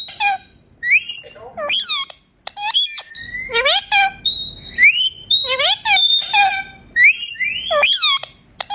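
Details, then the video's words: Pet parrot saying "mian mithu": a rapid, steady stream of harsh, voice-like syllables with swooping pitch, broken by brief clear whistles, chattering almost without pause. "Natural sounds of parrot saying mian mithu"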